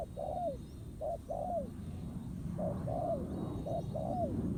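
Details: ['Spotted dove, a wild bird challenging a decoy at a ground trap, gives mellow low coos, short clipped note followed by a longer one that slurs downward, three phrases, with low background rumble.']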